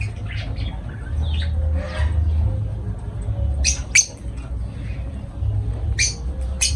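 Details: Lovebirds calling with a few sparse, sharp high squawks and short chips separated by quiet gaps, set against a constant low hum.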